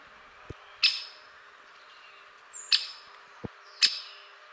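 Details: Great spotted woodpecker giving sharp, explosive single 'kik' notes, three of them spaced one to two seconds apart, each a bright, high click. Softer low taps are heard between them against a quiet background.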